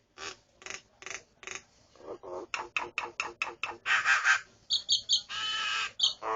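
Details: Pet starling singing a loud run of harsh, buzzy chattering notes, repeated about once a second and speeding into rasping bursts toward the end, in a small indoor space.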